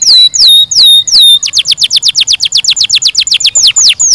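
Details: Canary singing four loud, falling-then-level whistles, then a brisk, regular trill of sharp high notes, closing with a few slower, sweeping notes.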